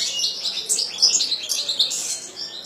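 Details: Kept European goldfinch singing a continuous run of high, liquid twittering and tinkling notes, fast and varied, with no pauses.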